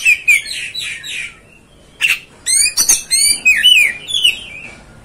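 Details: Oriental magpie-robin (kacer) song: buzzy repeated notes, then a sharp burst and a run of bright ringing whistles with rich overtones, ending in slurred falling phrases.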